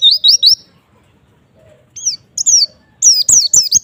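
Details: White-eye singing to provoke other white-eyes: a run of quick high whistled notes that slur downward, then a pause and two more bursts of bright, repeated downslurred chirps, with faint clicks beneath.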